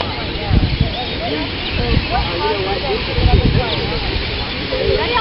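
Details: Hundreds of thousands of purple martins swarming at end of summer before mass migration, in a mall parking lot in Austin, Texas, give dense overlapping short chirps and gurgles over steady low traffic rumble and people's voices.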